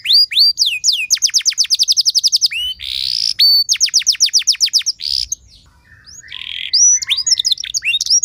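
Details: Canary song used as a lure for other canaries: fast even trills of down-slurred notes, a buzzy burst, another rolling trill, a short quiet pause, then a final run of chirped and buzzy notes.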